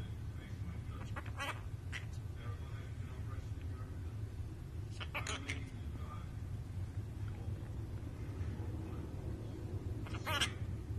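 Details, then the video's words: A pet bird, said to swear at its owner indoors, gives a few short, harsh, squawky bursts spread through the clip, one near the start, one in the middle and one near the end, over a steady low room hum. "bird tells owner to f$#k off bit$h"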